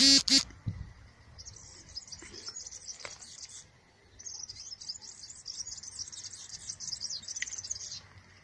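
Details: European serin singing in the wild: after a loud thump, a fast, high, jingling buzzy trill runs about two seconds, pauses, then resumes as a longer sustained scratchy twittering, with faint low rustling.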